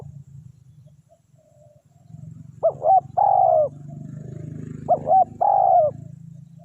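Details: Spotted dove decoy coaxing wild doves, with a low hum first and then two phrases, each two short hoots ending in a longer, gently falling coo.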